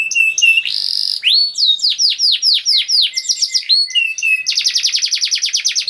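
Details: Canary singing nonstop in a fast, tight style, played to get silent canaries singing: varied whistled phrases, downward-curving notes in series, ending in a rapid metallic trill.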